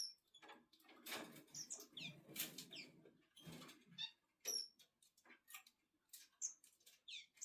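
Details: A male Red-billed firefinch being stroked by hand gives thin, high, arched chip notes, scattered and irregular, over loud rustling and handling noise in the first half.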